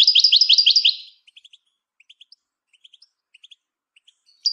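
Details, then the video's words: Singing European goldfinch, recorded for training other birds: the end of a rapid, bright repeated-note trill fades into a series of quiet, spaced high chirps before a loud trill bursts in again at the close. "The Art of Goldfinch Singing"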